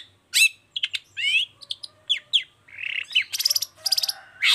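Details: A lively long-tailed shrike sings 'toet toet' to draw other shrikes into song, mixing slurred whistles, clipped chips, a wavering mid-pitched warble and two rapid, rattling buzzy trills.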